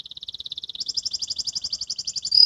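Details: Young canary learning to sing, practising the soft ngriwik style: a fast run of high repeated notes, then a brighter, higher trill for about a second and a half, ending in a short steady buzzy tone.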